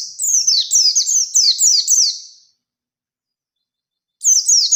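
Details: Oriental white-eye in forest-style song, used to draw an answering challenge from another white-eye: a two-second run of quick, shrill, descending chirps, then silence before a new phrase begins.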